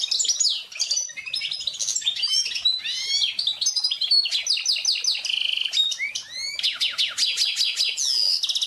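A goldfinch-canary hybrid sings a fast, unbroken medley of bright tinkling notes, buzzy rolls and rapid trills, ending in quick repeated downslurred notes.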